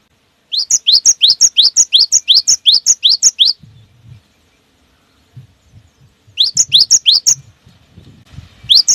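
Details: Long rolling run of rapid wucit wucit phrases from a cinereous tit in gacor style, meant to prompt other birds to sing. Twelve or so paired whistles pour out, then a pause with soft low knocks, then another burst.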